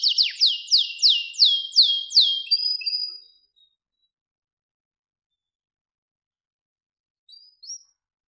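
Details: Master training song of a captive-bred blorok white-rumped shama: seven loud downslurred whistles, one about every half second, then a short trill. Near silence follows until two faint high notes at the end.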